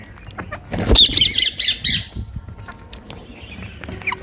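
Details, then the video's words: Rose-ringed parakeets, Indian green parrots, sitting together in a tree in India; a loud burst of harsh, grating squawks lasting over a second, then quieter scattered chatter with faint clicking and rustling in the background. "Green Parrots Natural Sound | Rose Ringed Parakeet"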